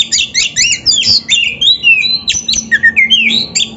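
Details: Kacer, the Oriental magpie-robin, in a training masteran from Indonesia for lazy or beginner birds. A dense, continuous stream of harsh, chattering notes mixes with gliding whistles, busy and varied throughout.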